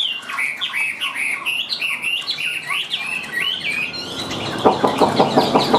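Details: Caged Chinese hwamei sings a string of rising and falling whistled phrases for several seconds, followed by a rapid run of clicking, rattling sounds.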